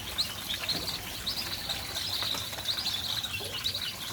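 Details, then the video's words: Whistling ducks that have just arrived, giving thin, high whistled calls in short clustered bursts, several birds overlapping, over a steady hiss of background noise. "burung belibis baru datang"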